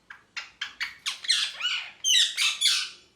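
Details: Happy pet parrot chirping: a run of about ten short, bright notes that grow louder and harsher, the last few becoming rasping squawks.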